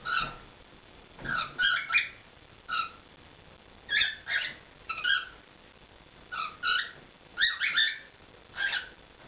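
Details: Pet cockatiel performing indoors, giving short warbled, squeaky notes in scattered bursts, sometimes two or three close together, separated by brief pauses, with quiet room noise.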